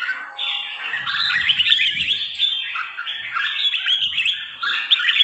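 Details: Red-whiskered bulbul of the trà my type, three seasons old, pouring out a quick run of sweet, slurred whistles and twitters, notes tumbling several per second with some soft low thumps behind.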